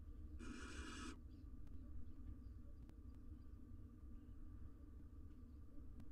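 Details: A single rasping, breathy screech, under a second long, comes from a wild barn owl pair courting next to four nestlings in a monitored Israeli nest box. Quiet hum and soft ticks follow.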